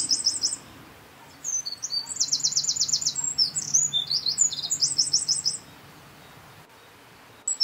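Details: Eurasian wren at N49°52' E18°11': a song fragment, a pause, then a long energetic strophe of piercing high notes with two rattling trills over four seconds, quiet again, and a new phrase beginning; low hum beneath.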